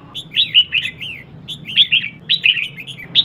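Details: Female red-whiskered bulbul stimulating males with quick, fluid phrases of three to five chattering whistled notes, run close together in two main bursts over a low hum.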